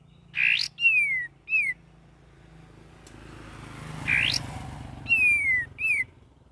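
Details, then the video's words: Young sooty-headed bulbul practising its varied song: two matching phrases, each a rasping buzz followed by a long falling whistle and a short curved whistle, separated by a quiet pause with faint low hum. "KAPAS TEMBAK BELAJAR GACOR PENUH VARIASI"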